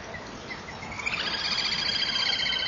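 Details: Little grebe calling at 07:36 on 4 March 2016, recorded by a nest-box camera while a kingfisher watches for fish: a high, sustained, whinnying trill starts after a second and rolls on above steady background hiss.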